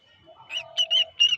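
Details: Cockatiel giving a short series of clear, rising and falling whistled calls, three quick notes over a soft lower tone.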